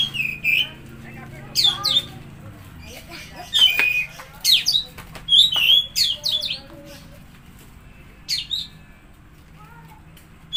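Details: Oriental magpie-robin song used to stimulate a silent or stressed bird: bursts of varied whistled and buzzy notes with rising and falling sweeps, separated by short pauses, over a faint low hum.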